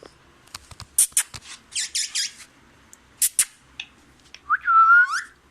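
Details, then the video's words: Green parrot indoors saying the Urdu phrase "Mian Mithu": scattered sharp clicks and squeaks, a few bursts of harsh chatter, then a clear sustained whistled note near the end. "Green Parrot saying میاں مٹھو"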